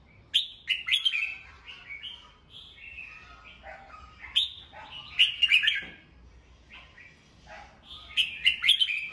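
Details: Red-whiskered bulbul, a kept songbird, singing in the morning, used to train other birds' voices and rouse them: short liquid whistled phrases, rising and falling warbles in bursts over nine seconds, with sharp clicks among them.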